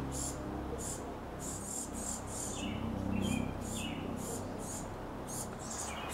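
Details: Hooded oriole in summer: an adult foraging in a sycamore and repeatedly feeding a noisy, waiting youngster after nesting in a palm; thin, very high squeaks about four a second, a few lower chattering notes, over a low hum that may be music.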